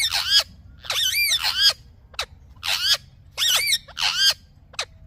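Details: Run of loud, wavering, rising-and-falling screeches from a green parrot, with short clipped squeaks between the longer notes and steady low background hum.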